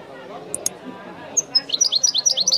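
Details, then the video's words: After two faint clicks, a goldfinch starts a brisk chain of high, evenly spaced chirped notes in the authentic Wiidani style, beginning with a couple of clear whistles. "chant de chardonneret تغريد الويداني الأصيل"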